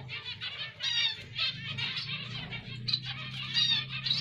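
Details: Zebra finch, locally called emprit Jepang, in Indonesia, singing dense buzzy and chattering phrases with nasal notes, continuous over a low hum in the background.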